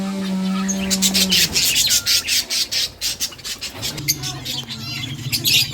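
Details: Budgies playing in a breeding setup, giving dense, rapid high chirps and scratchy chatter in quick irregular bursts, over a steady low hum that drops in pitch partway through.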